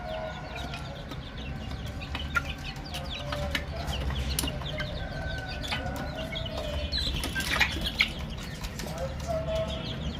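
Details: Baby chicks calling in a crowd, rapid high chirps repeated roughly two to three times a second, irregular and overlapping, with scattered clicks and rustles and a constant low hum behind.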